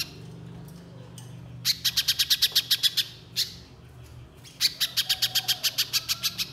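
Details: Little spiderhunter singing in 'gacor' fashion as a lure. Quiet at first, then two dense volleys of sharp high chips, each about seven per second and separated by a brief lull.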